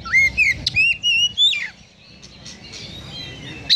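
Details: Oriental magpie-robin in full song with sparrow mimicry: a string of clear rising and falling whistled notes near two to four kilohertz, then a quieter patch of soft chatter before another sharp note.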